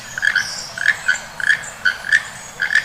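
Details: Keel-billed toucan (rainbow-billed toucan) gives dry, frog-like croaks, mostly in quick pairs about every half second, with a faint higher twitter behind.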